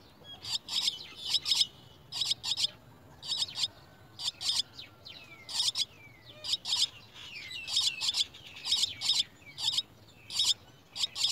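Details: Chestnut-tailed starling chicks at the nest being brought worms by a parent: harsh, high, buzzy chirps in quick pairs and triplets, repeated roughly every second, with faint thin downslurred whistles between.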